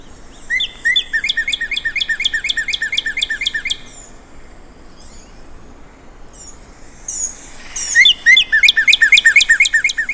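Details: A Northern Cardinal sings two bright runs of rapid, clear down-slurred whistles, each note repeated quickly in a steady series ("what cheer" / "purty purty"), with a short quiet pause between runs.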